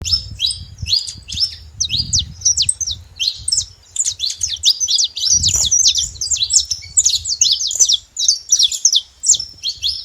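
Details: Free-living saffron finch singing in nature, a fast, unbroken stream of sharp, high chirps and short slurred notes in quick succession, with low rumbling wind or handling noise underneath.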